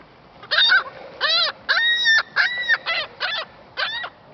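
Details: An angry seagull at Lac La Biche, Alberta, Canada, trying hard to get a french fry, gives a rapid run of loud, nasal, harmonic squawks. There are about eight calls in quick succession, some drawn out, with little else audible.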